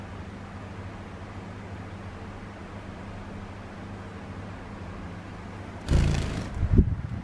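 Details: A low mechanical hum like a fan or air conditioner runs steadily, followed near the end by a brief rustling burst, with no clear animal voice.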